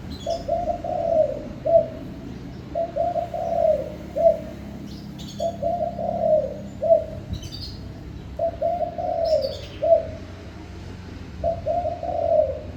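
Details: Spotted dove singing continuously: repeated low phrases of stuttering coos, a drawn-out purr and a short final note, over thirteen seconds, with scattered high chirps of small birds above.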